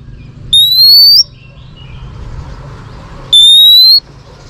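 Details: Female Oriental magpie-robin, used in training, singing to stimulate males: two long, clear, slowly rising whistles nearly three seconds apart, with faint low hum and soft distant notes in between.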